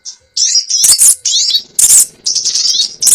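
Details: Lure call of the sogon bird for trapping: fast, high, buzzy twitters and sharp chips running almost without pause, with loud harsh bursts every second or so.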